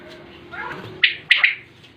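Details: After a murmur of background noise, a single sharp three-part quail phrase rings out: one clipped note, then a quick double.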